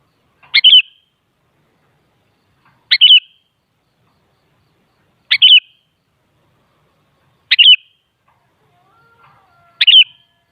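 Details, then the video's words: Sooty-headed bulbul, played to get a kutilang to respond and sing: five short bubbly, chirping phrases, each a quick rising-falling burst, repeated about every two and a half seconds over silence, with a faint low whistle near the end. "Suara Burung Kutilang"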